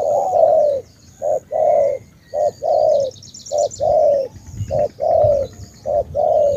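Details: Vietnamese spotted dove of Ca Mau origin cooing steadily: brief clipped note then a longer mellow coo, pairs repeated about every second; faint high chirping trills behind.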